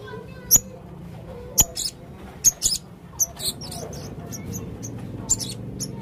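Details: Male blue-crowned hanging parrot making very high, sharp, piercing chirps at uneven intervals, some coming in close pairs, over a quiet hum.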